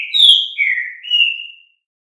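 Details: Green-winged saltator (trinca-ferro) song in the Fibra style, from a long song-teaching recording. Three clear whistled phrases: a high slurred note, a lower drawn-out note, then a level whistle, all within about two seconds.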